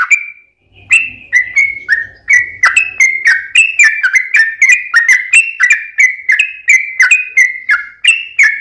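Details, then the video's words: Long 'ropel'-style singing of a yellow-vented bulbul as a lure for other bulbuls: after a short opening note and a pause, a fast, regular series of bright, slightly falling whistles, with a faint low hum early on. "KICAU SUARA trucukan gacor ROPEL PANJANG pancingan trucukan agar bunyi"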